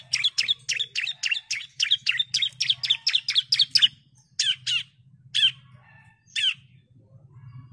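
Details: Female bar-winged prinia calling the male: a fast run of sharp, high chipping notes, about four per second, then slowing to a few separated notes with pauses between them.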